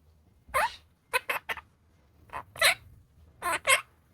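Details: Pet opaline monk parakeet speaking: a handful of clipped, raspy, word-like syllables, a single one then a quick triplet, followed by two paired bursts, over a soft low background hum.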